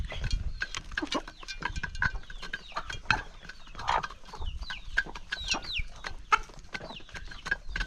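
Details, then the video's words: During a countryside morning feeding, a hungry chicken flock pecks at grain. Rapid tapping clicks mix with short clucks and thin rising squeaks, with a low rumble underneath. "Morning Feeding for Hungry Chickens"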